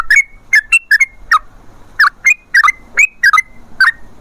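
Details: Sooty-headed bulbul, forest-style lure singing to prompt other bulbuls: separate short liquid whistled notes, some rising and some falling, spaced irregularly two or three per second.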